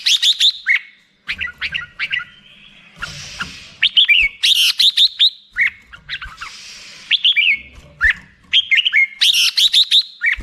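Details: Black-crested bulbul song: bursts of bright, slurred whistled notes between 2 and 4k, broken by short harsh noisy patches and brief pauses, phrases repeating irregularly.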